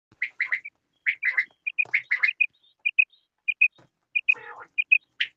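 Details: Quail (bedana, batair) calling: bursts of two or three short, buzzy chirps alternate with clear paired pips. The sequence repeats irregularly over a few seconds, with no other clear sounds.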